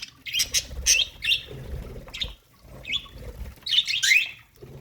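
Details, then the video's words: Aviary budgerigar colony singing: scattered bright chirps and short twittering phrases with little rising and falling squeaks, separated by brief pauses, over faint low background rustle. "budgie colony singing parakeet sounds aviary"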